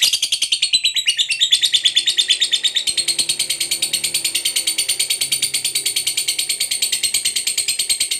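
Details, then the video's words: Lovebird of the fighter type, giving the prized long ngekek chatter used to stir other lovebirds to reply: an unbroken, even, machine-like trill of shrill notes, about three per second, lasting over eight seconds. "KICAU LOVEBIRD GACOR NGEKEK PANJANG"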